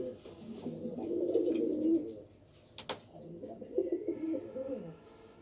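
A pigeon gives low, throaty cooing in soft rolling bursts, with a couple of sharp clicks between.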